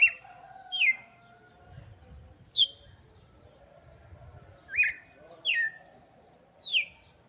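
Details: Song of a red-cowled cardinal meant for chicks: crisp descending chirped phrases, six bright notes at irregular intervals over a soft hum.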